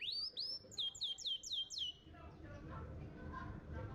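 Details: Champion contest canary heard in a training recording for young canaries: about two seconds of repeated clear, falling whistled notes, then quieter low murmuring.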